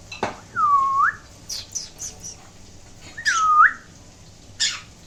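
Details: Pet green-cheeked conure indoors whistling: two clear U-shaped whistles, each dipping then rising over about half a second, separated by sharp clicks, squeaky chirps and a brief knock.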